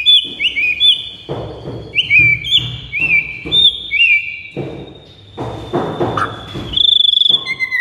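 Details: White-rumped shama song in a training recording meant to prompt other birds to answer: clear whistled phrases sliding up and down, repeated in short bursts, with low thumping noises in between and a buzzy trill near the end.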